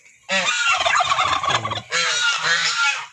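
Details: Turkey kept where eight of ten turkey eggs have just hatched, in the Philippines: two loud, coarse honking bursts, the first about one and a half seconds and rougher, the second shorter, with low rumbling underneath.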